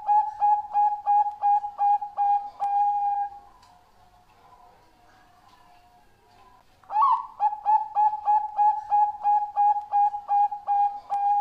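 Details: A Bangkok-strain zebra dove (perkutut), its song meant as a lure for other doves, gives a fast run of soft, mellow cooing notes, about three a second, pauses a few seconds, then starts again.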